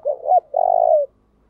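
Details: Single phrase from a decoy spotted dove in 'thúc gù' style meant to make wild doves call back: a wavering two-part opening, short gap, then a sustained, finely pulsing coo that tapers off.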